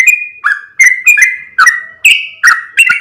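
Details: Yellow-vented bulbul lure call, used to draw other bulbuls toward a bird: bubbly whistled notes, each opening with a sharp click, repeated about three per second with slight pitch shifts up and down.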